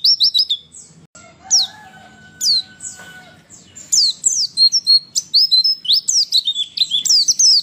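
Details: Female white-eye calls, used to provoke males into singing: high, thin chirps and twitters in quick bursts growing denser and almost continuous in the second half, with a faint low hum early on.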